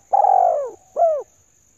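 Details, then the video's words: Spotted dove hen's luring call aimed at males: one long coo gliding gently downward, followed by a shorter arched note dropping at the end, loud and clean. "Tiếng Chim Cu Gáy Mái Chuẩn Mới Nhất 2022"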